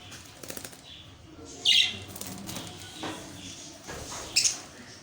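Budgerigar giving a couple of brief, high, scratchy chirps amid fluttering wings.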